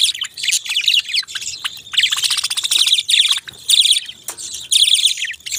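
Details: Several phrases of bright, fast budgie warbling, rising and falling squeaky notes delivered in bursts about a second long with short breaks between.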